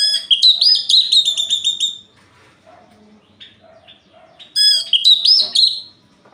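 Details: Orange-headed thrush singing at night, a song meant to provoke rival males: a dense, high warbling burst with sharp slurred notes, a pause of quiet soft chips, then a second similar burst.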